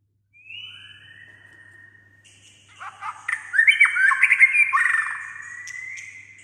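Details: White-rumped shama singing, a bird that sings nearly all day with many voices: a thin rising whistle, then a lower held whistle, followed by a louder jumble of varied warbled and sliding notes with high sharp accents.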